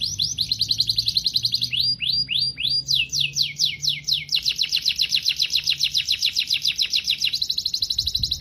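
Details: Canary singing in long rapid trills of clear whistled notes, shifting between tours: fast repeated units, then a run of descending slurred notes, then steady trills again, loud and close with no other sounds.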